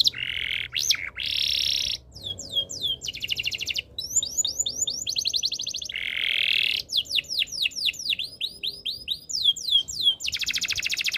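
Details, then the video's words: Canary song in several tours: buzzy sustained notes, fast rolls of hooked whistles, rapid rattling trills and a bright repeated trill, with brief gaps between phrases. "KICAUAN BURUNG KENARI BIKIN KENARI GACOR DOR ● OCEHAN BURUNG KENARI BIKIN IRI"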